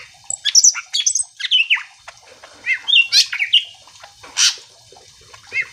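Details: Greater green leafbird singing in a lively, provoking style meant to stir other leafbirds to reply: rapid varied whistles, slurred downward notes and harsh bursts, delivered in quick runs with brief gaps.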